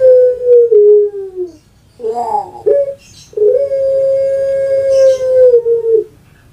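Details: Pet puter pelung dove of Java, Indonesia: a falling coo, a burst of quick rough stuttering notes, then one long steady humming note of about three seconds that drops at its close.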